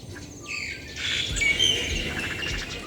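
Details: Yellow-vented bulbul; call; calling because it has chicks nearby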